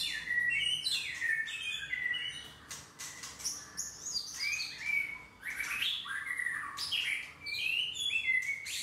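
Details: Varied song of a white-rumped shama: rapid sequences of sliding whistles and trills, interspersed with harsher rasping bursts, delivered almost continuously over a faint constant low hum.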